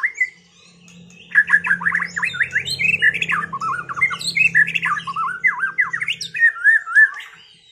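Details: Caged white-rumped shama just after moulting, song played to restore its performance: loud, varied phrases of rapid zigzag whistles and chattering notes between mid and high pitch, with a faint low hum beneath.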